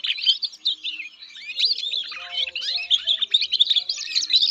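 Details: Caged-style canary song: fast chattering run of sharp high notes and buzzy trills with quick downward slurs, continuous throughout, over a faint low tonal hum.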